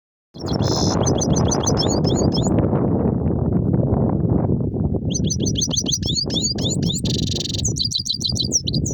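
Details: European goldfinch in lively rolling song: rapid high twittering runs of sliding, chirpy notes and a brief buzzy trill, sung in two bursts with a pause between, over a loud, steady low rumble.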